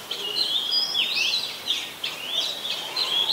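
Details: Singing Oriental magpie-robin, recorded 26 December 2020 in Ubon Ratchathani, Thailand; a brief burst of clear, flowing whistles that rise and fall in continuous phrases.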